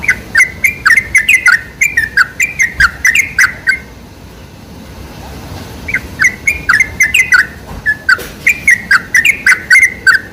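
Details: Lure song of sooty-headed bulbul, used to attract bulbuls: quick bursts of sharp chirping notes, a quiet gap of about two seconds in the middle, then the rapid chirps return.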